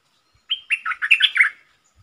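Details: Caged red-whiskered bulbul used as a lure for wild birds and a tutor for fledglings: a brisk burst of roughly seven bubbly, whistled syllables, starting with a level clear note and tumbling through rapid warbles.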